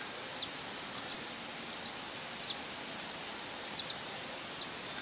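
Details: A Long-tailed Tyrant in the city of Santa Bárbara, Minas Gerais, gives short, high, sharp chips, often doubled, at irregular intervals over a steady high insect drone.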